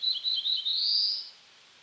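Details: Black-throated blue warbler singing: a run of short buzzy notes near one pitch, then a drawn-out, rising, buzzy final note, over faint background hiss.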